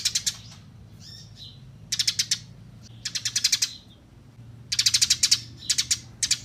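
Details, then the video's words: Eurasian tree sparrow, clearly recorded as training audio for songbirds: repeated volleys of loud, buzzy chirps in quick series of five to eight, separated by short gaps with a few soft twitters. "SUARA BURUNG GEREJA JERNIH"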